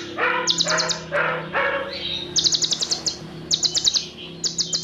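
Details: Olive-backed sunbird delivering dense cililin fill-in: after a few lower harsh buzzy notes, quick trains of very high, sharp ticking chirps come in repeated bursts about every second.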